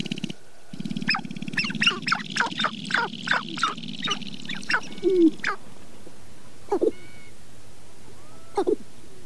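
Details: Sharp-tailed grouse in the Namekagon Barrens of northern Wisconsin in April: a low droning buzz underlies a burst of sharp, irregular clucking notes, followed by a few scattered single calls.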